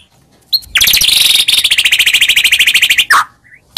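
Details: White-rumped shama song to provoke a reply, a fast, even trill of about thirty sharp repeated notes lasting over two seconds, followed by a short harsh note.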